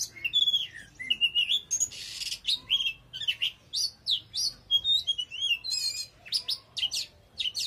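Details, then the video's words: Oriental magpie-robin singing loudly: a rapid string of varied clear whistles, slurred upward and downward notes and short buzzy bursts, phrases following each other almost without pause. "Choè than hót cực khủng"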